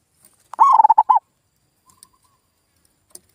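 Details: Zebra dove lure call meant to make silent local doves respond: one quick burst of clipped, pulsing cooing notes, followed by faint scattered ticks and a short soft hum.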